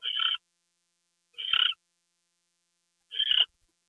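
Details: Owl during a gopher delivery at 10:43 PM on 2 February 2013. Three breathy, grating screeches, each about a third of a second long, sound roughly one and a half seconds apart.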